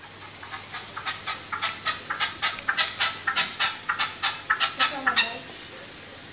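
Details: Tame red-legged partridges calling to each other: a rapid series of harsh, chuffing notes repeated nearly twice a second, building louder through the middle and ending with a low grating note.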